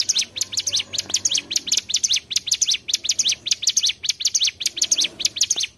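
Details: Mountain tailorbird song played as a trapping lure, a rhythmic string of piercing, zigzagging chirps in evenly spaced clusters, steady and lively throughout with a soft low background.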